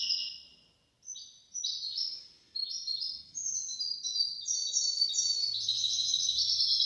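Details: Goldfinch-canary hybrid performing hafada and daniya song meant as a model for young goldfinches and canaries: short high twittering bursts after brief pauses, building into a dense, unbroken rolling warble.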